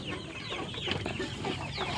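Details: A restless flock of farm chickens, birds over 2 kg plus desi chicks, clucks and squawks in a dense chorus while scrambling to eat at feeding time; the chicks keep to the upper level. A person talks over them.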